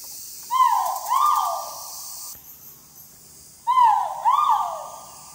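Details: Great argus giving its mating call at Thung Chali on March 13, 2019. There are two loud, mellow, hooting calls, each a pair of rising-then-falling notes, spaced about three seconds apart, over a quiet background.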